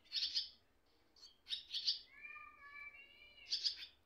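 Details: Baby swallows at their nest, parents nearby: harsh doubled high chirps, interrupted midway by a steady, clear, lower whistled tone lasting about a second, then the scratchy chirps resume.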